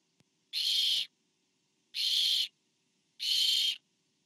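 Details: Barn owl nest, 24 September 2015, as a parent delivers food to an owlet. A faint tap is followed by three even, harsh hissing screeches, each about 0.6 seconds long, spaced roughly 1.3 seconds apart.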